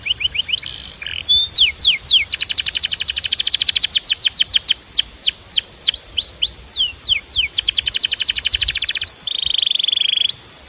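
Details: Training song of a canary for teaching young birds: quick rising chips, then long, very fast trills of sharply dropping notes, about four per second in slower runs, ending with a buzzy, flat, warbled phrase.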